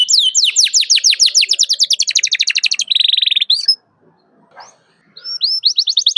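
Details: Canary calling a rival, used as a training lure for young canaries: fast down-slurred notes running into a dense buzzy trill, a pause of about a second, then rising whistled notes resume.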